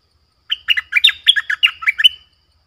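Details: Streak-eared bulbul lure bird calling to draw in wild birds: a quick run of about nine sharp, chirpy notes, each dipping and rising, spread over nearly two seconds, with no other sounds.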